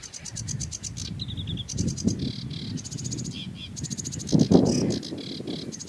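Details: Sedge warbler song: a fast, chattering run of high, rapidly repeated ticking notes and dry trills, broken by short lower paired notes, changing phrase every second or so; steady low rumbling background noise underneath throughout.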